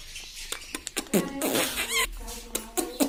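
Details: Pet parrot kept at home, known locally as tota, talking; short rasping, speech-like syllables with a wavering tonal phrase in the middle, mixed with clicks and taps throughout.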